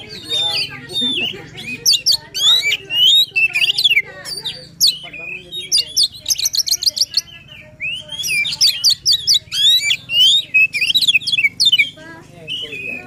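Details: Oriental magpie-robin in full emotional song for stimulating a silent bird: long run of rapid chattering trills, ringing whistles and buzzy notes with short stutters of repeated clicks, over a faint steady hum.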